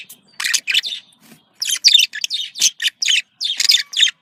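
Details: Budgerigar contact calls: short scratchy chirp bursts and clicks in a choppy series, with brief silences between groups.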